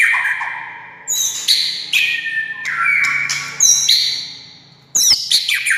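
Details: White-rumped shama song used as a trigger for silent shamas: clear whistled slides alternating with harsh high chatters and sharp clicks, given in several quick, loud phrases.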